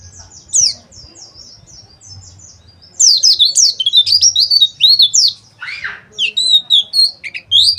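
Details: Oriental white-eye (pleci) giving a rough 'ngeriwik' trilling song, played as therapy audio to make kept birds sing and open their beaks. Thin high chirps start sparse, then turn into dense rapid twittering and whistles from three seconds, with one lower buzzy note.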